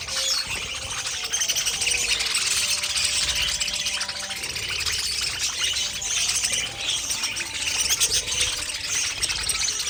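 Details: A group of pet budgerigars, likely a colony, keeps up steady high chatter: busy scratchy warbling and quick chirps layered over one another, with a faint low hum underneath.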